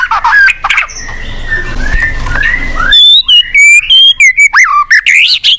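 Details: White-rumped shama song used as a lure for a silent shama: after a noisier, muffled start, a clear sequence of bright whistles, up- and down-sweeps and sharp chips follows in quick succession.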